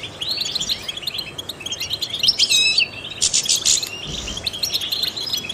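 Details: Trained European goldfinch singing to stimulate other songbirds: a rapid, high twittering run of chirps with a burst of fast trilled notes midway and a loud buzzy, rattling stretch before easing back to lighter twitters.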